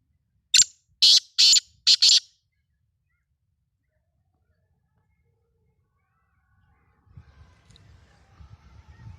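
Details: Black francolin, locally called kala teetar, of the Sindhi type, kept as a pet: a loud burst of five harsh, grating notes, the last two close together, delivered within about two seconds, then silence and a faint low rumble.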